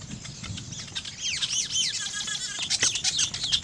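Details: Weaver birds building nests make a dense chorus of shrill, sweeping chirps and buzzy chatter, overlapping and continuous, with faint low rustling.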